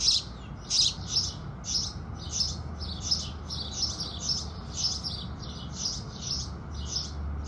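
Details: House sparrows singing with the rising sun: a steady run of short, bright chirps about every half second, some overlapping, over a faint low background hum.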